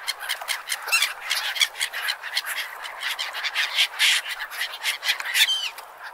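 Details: Beach gulls calling almost nonstop, a busy mix of raspy squawks and short cries crowding over one another, with a brief clearer downward call near the end over background hiss.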